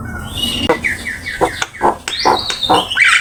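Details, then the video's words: Javan myna singing for a master training recording: a series of short downslurred whistles, then sharper rising whistles and a brief harsh note, about two notes a second. "Suara jalak kebo gacor !! Full isian ,masteran asik"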